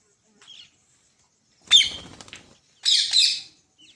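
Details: Green parrot kept as a pet, giving two harsh, high, raspy squawks a second apart after a short faint chirp, with quiet gaps between, following a person coaxing it to speak in Hindi.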